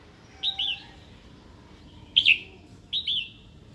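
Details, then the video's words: Female red-whiskered bulbul, a caller meant to rouse a wild-caught male to fight and sing; three bursts of clear, bent, chirping notes, each pair quickly falling in pitch. "Chào mào hót tiếng mái kích bổi"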